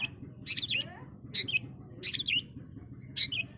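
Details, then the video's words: High, squeaky, twisting chirp phrases from a long-tailed shrike come in short bursts about every 0.7 to 1 seconds over a low background hum. "Cendet Super Speed"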